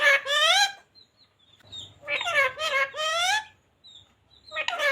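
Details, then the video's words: Green ringneck parrot kept as a pet repeats "radhe radhe" in a room: a nasal, voice-like phrase opens, then a longer two-part utterance follows after a gap, with soft high twitters and a low hum behind. "Parrot talking radhe radhe | राधे राधे बोलने वाला तोता"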